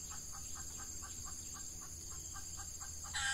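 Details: Red junglefowl in the Ramadan breeding season, with an F1 decoy hen luring wild cocks: a rapid even series of about fourteen low clucks, then a sudden harsh burst at the end, with a steady high hum behind.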